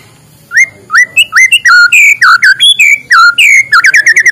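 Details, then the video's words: White-rumped shama singing in the morning to stimulate lazy shamas: after a brief quiet start, loud varied whistled phrases with rising sweeps and slurred notes, ending in a quick series of short repeated whistles. "suara muraibatu di pagi hari, untuk pancingan muraibatu malas bunyi"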